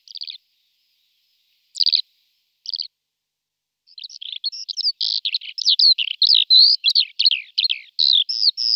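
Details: Eurasian skylark: a few short separate buzzy chirps, then a rapid continuous run of high warbled, trilled notes tumbling without pause over the last five seconds, against a clean, quiet background.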